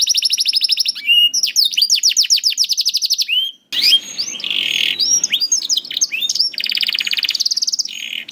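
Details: Canary singing, used to coax young or quiet canaries into song: quick repeated sweeping notes and rattles, a short break, then varied whistles over a fast buzzy trill.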